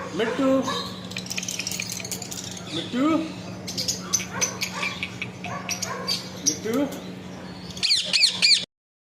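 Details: Parrot mixing speech-like babble with squeaks and a burst of rapid high chirps near the end before falling silent, low hum in the background.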